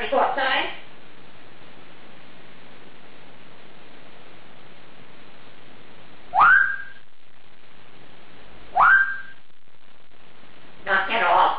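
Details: Female Congo African grey parrot, a competition-winning talker with a 350-word vocabulary, kept indoors; four separate whistled notes a few seconds apart, two of them sharp rising sweeps, others short hoarse bursts, over steady room hiss.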